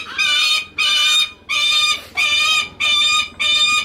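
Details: A captive lanner falcon named Archery at Kakegawa Kachoen, Japan, gives six harsh, rasping whines, each about half a second long, at a steady pace, begging for attention from its keeper.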